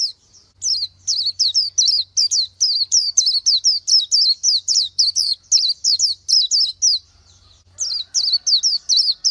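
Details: [6, 'Oriental white-eye pouring out a long, fast run of thin high whistled notes, each dropping in pitch, briefly pausing near the end before resuming the same rapid pattern.']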